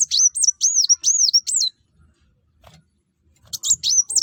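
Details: Sunbird known as kuwul or kolibri wulung, singing in top form to lure other birds into song: a run of four or five high, arched, down-sweeping whistles, a pause, then the same notes again.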